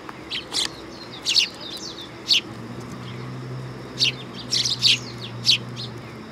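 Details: Several sparrows come to a raised platform at a Tenmangu shrine in Japan on 3 September 2022. Scattered high, clipped chirps fall in small clusters, with a faint low drone beneath.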